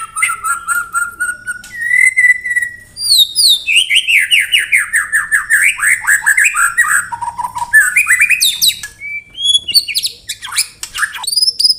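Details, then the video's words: White-rumped shama in 'tembakan rapat' style: steady whistles give way to a long cascade of fast downslurred notes, then scattered bright chirps and high upswept whistles. "Tembakan Rapat Burung Murai Batu"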